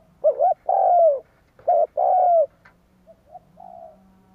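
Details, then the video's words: Spotted dove calling, sound used for luring wild doves: a quick wavering note then a long mellow coo that dips at the end, repeated twice in close succession, then faint short notes and a soft drawn-out tail. "Tiếng cu gáy kích bổi cực nhạy"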